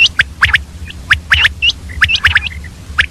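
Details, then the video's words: Female common quail calling early in the morning with fast, bright chips and short whistled notes, often paired, tumbling along without pause over a faint hum. "Batair ki awaz, Common Quail Calling Early morning , Female Batair Ki Awaz"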